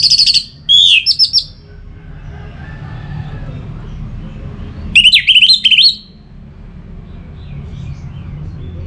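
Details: Orange-headed thrush song used to stimulate singing: two bursts of loud, varied whistled phrases with quick rising and falling notes, separated by a few seconds of quiet low hum.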